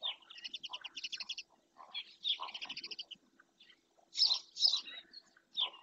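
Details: Black-winged stilt in Doñana National Park, picked up by a webcam: bursts of sharp, high, yapping notes in quick runs of five to eight, with pauses between bursts and louder squealing notes near the end.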